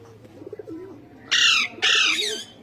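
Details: Talking Indian ringneck parakeets kept as pets, described as speaking Urdu and Hindi; soft low muttering gives way to two loud, raspy screeches, each falling slightly in pitch.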